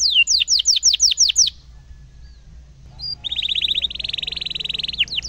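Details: Canary song used to tutor young canaries: a run of seven sharp descending sweeps, a short pause, then a long fast rolling trill ending in a down-slurred note.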